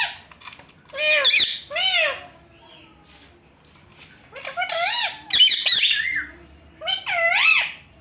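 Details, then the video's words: Talking Indian green ringneck parrots at a mirror: bursts of squeaky, bending speech-like syllables in clusters, with quiet gaps between, some phrases rising then dipping in pitch. "Talking Ringnecks Family Together // Parrots Talking In Mirror"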